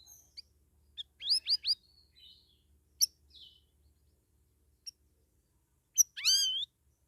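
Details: Captive straw-headed bulbul (cucak rawis), in its second week after coming from a communal aviary, already singing vigorously: a quick burst of three loud hooked whistled notes, scattered sharp chirps, then a rich slurred phrase swooping down and up.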